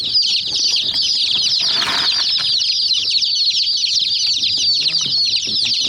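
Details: A flock of domestic chicks attacking a miniature toy jeep keeps up continuous high peeping, many thin falling chirps at once, with a brief burst of broadband rustle midway and soft low knocks.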